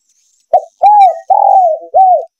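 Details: A male spotted dove's lure call, used to attract doves for hunting: one phrase of a short coo, an arched coo, a long drawn coo and a final arched coo.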